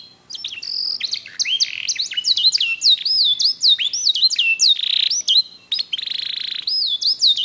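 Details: A black-red mosaic canary sings a rich sequence of arching, looping whistles and a buzzy rattle, with brief pauses between phrases.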